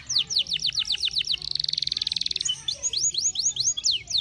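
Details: Canary song used to excite other canaries into singing: a run of falling whistled notes, then a second-long rapid buzzing rattle, followed by bright sweeping chirps repeated about three times per second.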